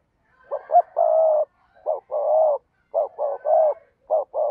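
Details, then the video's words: Spotted dove kept as a decoy bird to lure wild doves, cooing in phrases of two short clipped notes followed by one long steady coo, repeated several times; nothing else heard. "cu gáy kích bổi nhanh nổi/ cu gáy mồi cây thúc gù bài bản"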